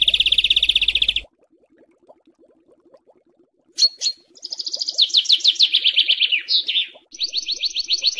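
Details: Harsh 'besetan' tutor song for home and contest birds: a brief rasping trill, a long silence, then varied high scratchy notes and a falling series of rapid rasps, ending in an evenly pulsed trill.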